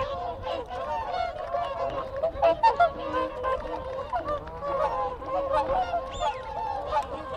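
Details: Whooper swans in a group giving close contact calls: dense overlapping nasal honks, continuous throughout, with Wigeon whistles and Canada geese calling in the background.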